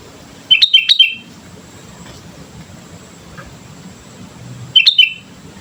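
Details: Sooty-headed bulbul singing for use as a lure: two lively bursts of rapid whistled chirps about four seconds apart, separated by quiet with faint low background hum.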